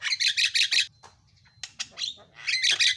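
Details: Javan myna song in a masteran recording: loud rasping bursts, a pause with a thin steady tone, then more harsh scratchy notes.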